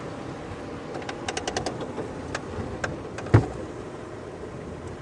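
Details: An idling safari vehicle rumbles at dusk while sharp clicks and taps sound in a quick cluster and one louder knock follows, with no animal calls.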